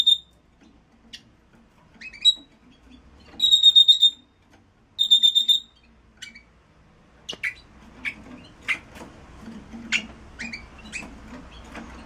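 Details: Song of a red-rumped parrot used to stimulate pairing and mating: two quick pulsed whistle trills early on, followed by scattered sharp, high chirps and clicks over a low background murmur.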